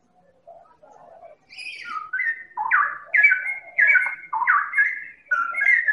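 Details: Medan-type white-rumped shama singing as a lure to get other birds to sing: soft low notes building into loud repeated whistled phrases, each dropping then rising, roughly every half second.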